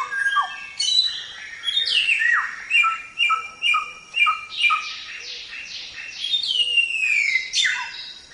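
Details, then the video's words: Black-throated laughingthrush (samyong) singing gacor, for training songbirds: regular short whistled downslurs roughly every half second, then fast chattering and long sweeping falling whistles. "Suara Burung Samyong | Gacor"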